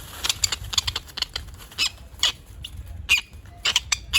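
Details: Aggressive male tropicbird guarding its mate and nesting area, uttering scattered sharp, rasping squeaks and screeches, some in quick pairs, over a low rumbling background.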